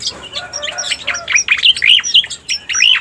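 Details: Striated grassbird lure call: a brief run of loud, upslurred whistled notes, each a quick sweep, about eight in three seconds after a softer opening.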